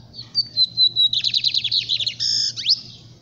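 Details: Capiroto song of a lined seedeater: high whistled notes slide into a rapid descending buzzy trill, then a harsh, harmonic-rich note and a quick upswept whistle. Steady low hum behind.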